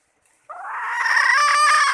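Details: Hen call used as bait: a single harsh, nasal, drawn-out note lasting about one and a half seconds, strengthening toward the end, with nothing else audible.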